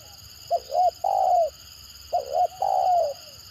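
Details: Spotted dove giving the stammering 'gagap' call meant to provoke other birds: paired short hiccup-like notes leading into a long, gently sinking coo, two phrases in succession against a quiet hum.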